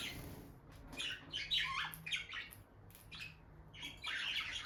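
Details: Peach-faced lovebirds, a bonded couple near their nest box, make scratchy high chirps and squawky notes in uneven bursts, with a soft indoor hum beneath.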